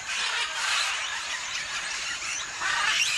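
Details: At a Tambopata clay lick, scarlet and blue-and-gold macaws give a steady wall of grating, screechy calls from many birds at once, no single voice standing out, with a louder squeal near the end.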